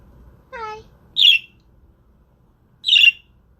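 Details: Father budgerigar guarding eggs: a short rising whistle-like note, then two harsh high squawks about one and a half seconds apart, indoors.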